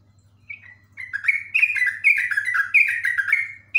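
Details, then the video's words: Yellow-vented bulbul in full 'ropel' song: varied, lively chattering phrases of quick bubbly notes that slide downward, with short pauses between bursts, over a constant low hum. "trucuk ropel panjang super komplit"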